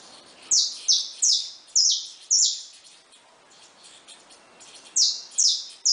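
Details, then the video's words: At a feeder, loose wild saffron finches sing five sharp buzzy downslurs. After a quiet gap of about two seconds, three more follow. "Canarinhos da Terra Livres e Soltos no Comedouro"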